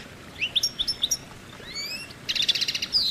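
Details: Goldfinch song in which clipped high chirps lead into thin rising whistles and then a buzzy, rapidly pulsed trill with a final twitter.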